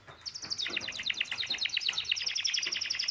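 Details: Excited male canary in mating song alongside a female's call: a rapid, continuous trilled rattle of high notes, dense and steady for the whole stretch, with faint background noise.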